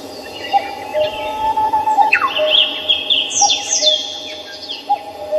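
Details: Park birds in Seoul's Samcheong Park: a sharp descending whistle, then high chattering trills, while soft lower notes repeat about twice a second in the background.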